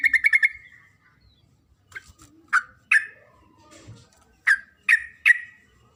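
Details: Calling to the male, a female Sooty-headed bulbul opens with a fast series of chirps. Separate sharp, downslurred single notes follow at irregular intervals over a quiet background.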